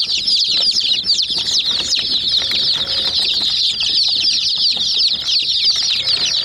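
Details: Hen chicks attacking a small white toy jeep; rapid, high-pitched peeping from a whole flock runs continuously, layered over soft knocks and taps of pecking.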